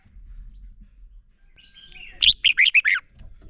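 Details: A single lively phrase from a male red-whiskered bulbul used to train and provoke other bulbuls to sing: faint thin whistling, then five loud, rapid, sliding warbled notes dropping in pitch.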